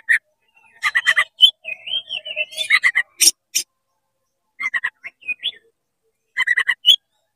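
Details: Oriental magpie-robin in rapid 'konslet' song, tail opened, meant to agitate other magpie-robins: clusters of quick stuttering chips, a short warbled whistle phrase, then pauses and further chip clusters.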